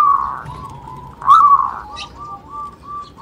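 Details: Local zebra dove, used as a lure to stimulate other doves to call: a soft mid-pitched coo, then a louder rising-falling note and a quick run of short even coo notes, all in about three seconds.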